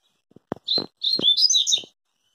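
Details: Rusty-collared seedeater singing a loud, rapid phrase of high, sweeping and warbling notes lasting just over a second. A few dull taps sound before and during it.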